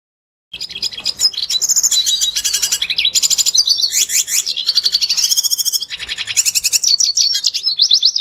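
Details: Red siskin song played as a lure to get a bird singing: a fast, unbroken high twitter of chirps, buzzy trills and quick rising and falling notes, with no other sounds.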